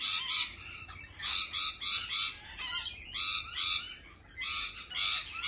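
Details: Loud lorikeet screeching in spring: rough, buzzy squawk bursts about half a second long, coming in steady pulses with barely a pause between them.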